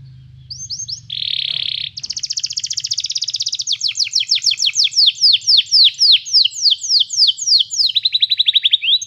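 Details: Canary song used to train a canary to sing: a brief whistle and a harsh buzzy note, then long runs of very rapid trilled notes that grow louder and slow into clear swooping tours.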